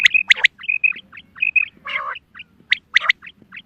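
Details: Hunting call of a female quail: quick paired whistled notes and brief downward chirps, with loud sharp clicking bursts at the start and near three seconds and one rasping buzzy note in the middle.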